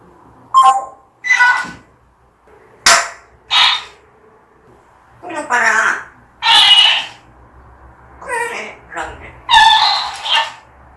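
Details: Pet African grey parrot in Korea, said to be angry after a spotted calf upset it, gives a series of harsh, harmonic speech-like bursts and squawks with short pauses, about one every second or two, indoors.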